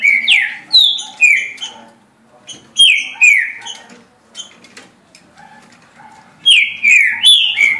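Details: Green-winged saltator in a cage delivering 17 songs a minute: bursts of three to four clear whistled notes sliding downward, repeated after short gaps, with soft clicks and faint chirps in the background.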